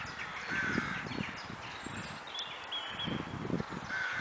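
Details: Crows in the Kraaienbos woodland at Kloosterbos, Vaals, giving hoarse cawing calls in short bursts, with faint thin whistles of other birds and low rumbling background noise.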